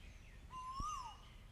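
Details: Asian koel giving a single whistled note that rises gradually and then drops away at the end, over a soft low rumble of background noise.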